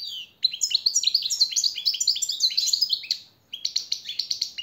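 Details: Captive goldfinch master song for tutoring birds: a loud, continuous tinkling stream of quick chirps and slurred notes lasting about three seconds, a short gap, then another twittering burst.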